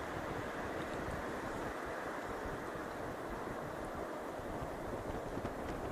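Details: Steady roaring wind buffets the microphone throughout, with no animal voice audible.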